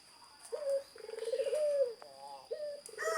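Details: Zebra dove song: a soft rapid stuttering trill followed by a smooth rising then falling coo, the phrase starting twice, with a steady high electrical hum behind.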